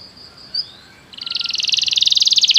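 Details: Canary song meant to make a canary sing: a faint high note, a pause, then a fast trill of repeated notes swelling steadily in loudness.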